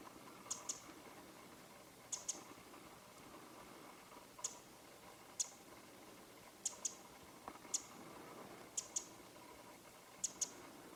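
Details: Winter wren in Japan, perched on a bare branch on a winter morning in late January 2013, giving its call: short, hard, high-pitched ticks, mostly in quick doubles, repeated every one to two seconds against quiet ambient hiss.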